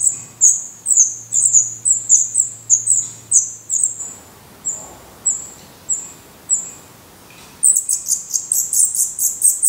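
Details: Black Redstart chicks in a nest in Portugal, eyes open and adult feathers emerging, give evenly spaced high squeaks over a low hum. A quiet gap follows, then a sudden loud burst of overlapping calls.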